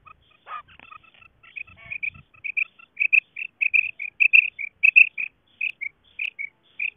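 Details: Call of a female quail used as a lure in quail hunting: a quickening series of short, bright piping notes on a near-steady pitch, loudening and repeating roughly one or two per second, with faint lower notes at the start.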